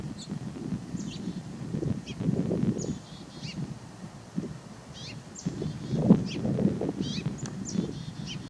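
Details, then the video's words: A lone male house finch sings from a treetop on a sub-zero (−11°F) Midwest winter morning, giving bright, warbled phrases of quick high notes, faint over a steady low rumble of wind. "Take a listen to this lonely male house finch."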